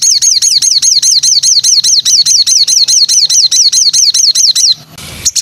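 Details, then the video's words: High whistled notes from a white-rumped shama, used as song material for training cage birds, each note slurring downward. They repeat steadily about four times a second for nearly five seconds, then stop with a brief scratchy rustle. "MATERI BARU BURUNG MURAI dijamin nembak pedas"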